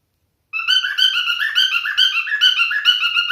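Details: Singing male cockatiel kept as a pet: after half a second of quiet, a continuous run of clear, whistled warbling notes, rising and falling in quick repeated phrases.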